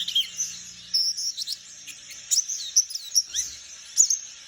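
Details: Juvenile forest white-eye from Borneo practising its song, a rambling series of very high, thin twitters and quick upward whistles delivered in uneven spurts.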